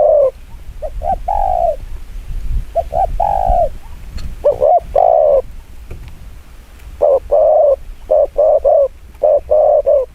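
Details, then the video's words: Spotted dove giving rapid 'chiêu gù kích bổi' cooing, with paired short and drawn-out hollow coos, then a tight run of quick repeated coos near the end over faint low noise. "Tiếng chim quân tử chiêu gù kích bổi cực nhanh"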